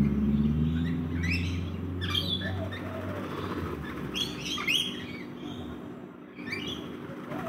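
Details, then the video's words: Rainbow lorikeets feeding in a backyard chatter with scratchy screeches and clipped chirps, densest in a cluster near the middle and again near the end, above a low humming background. "Rainbow Lorikeet parrots feeding in the Backyard"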